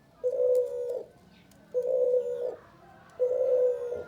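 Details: A male spotted dove gives three long, flat, mellow coos about a second and a half apart over a low background murmur.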